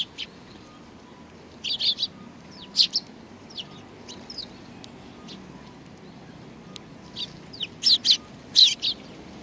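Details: High sparrow chirps at a Tenmangu shrine on 4 July 2019, in short grouped bursts separated by pauses, with faint distant tweets between the louder calls.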